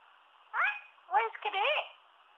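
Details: A pet male Indian ringneck parrot, one year old, talks in English: three short, nasal, speech-like phrases with sliding tones, separated by brief pauses, over quiet steady background hiss.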